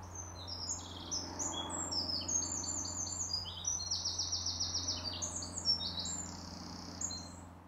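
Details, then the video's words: Two competing Eurasian wrens take turns singing, pouring out loud, high, rapid trills and ringing notes that overlap without pause, over a low steady hum. "Two competing wrens | Eurasian wren bird song"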